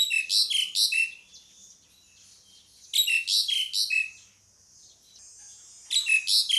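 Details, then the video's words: Pied myna repeating a harsh call phrase of four buzzy, grating notes with squeaky falling slurs. The phrase comes about every three seconds, with faint scratchy twittering between phrases. "SUARA PANGGILAN JALAK SUREN"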